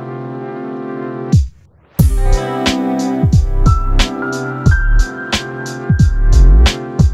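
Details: Loud instrumental music with sustained tones and regular percussive beats after a brief pause, and no animal sounds heard.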